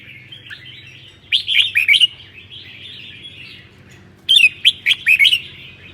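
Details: Sơn La red-whiskered bulbul, a seven-clawed bird, sings 'ché' phrases on a cold day: two clear bursts of rapid, liquid, chirpy notes, each about a second long, separated by a quiet pause over a faint low hum.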